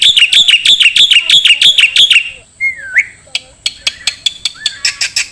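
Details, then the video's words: Black-winged starling song used as a training recording for songbirds: rapid repeated chirping notes about three per second for two seconds, then a single slurred whistle and a series of sharp ticking clicks with short chirps. "MASTERAN KICAU Jalak Putih"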